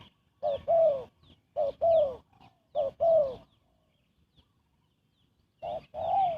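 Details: Spotted dove cooing quickly to lure birds for trapping; three paired coos in a row, each a brief note then a longer falling one, a pause of about two seconds, then another pair.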